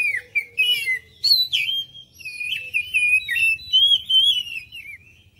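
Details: Oriental magpie-robin lure song intended to make other birds respond: a continuous stream of pure whistles, bending and wavering, broken into short loud phrases with quick upward flicks.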